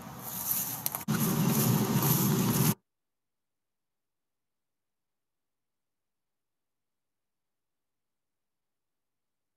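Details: Loud rumbling, scraping noise with a brief break, cutting out after under three seconds into complete silence, with no animal voice present.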